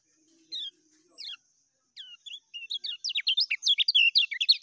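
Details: Lemon-bellied white-eye giving 'ngejos' song: a few separate high chirps at first, then the notes come closer and louder, building into a rapid, sharp twittering run near the end.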